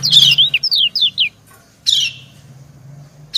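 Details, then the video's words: Female white-eye (kecial) calling to a male: a harsh buzzy chirp followed by four clear downslurred whistled notes, then after a pause another harsh rasping chirp and the start of a third. "Suara ciak kecial betina mendayu merayu jantan"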